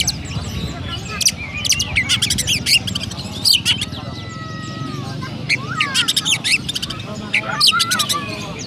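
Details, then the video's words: Caged Oriental magpie-robin kept in Pemalang, Central Java, Indonesia, singing in the sparrow-like style: rapid bursts of high chattering chirps, mixed with slurred whistles and falling notes, over a steady low background hum. "Burung Kacer Rasa Gereja"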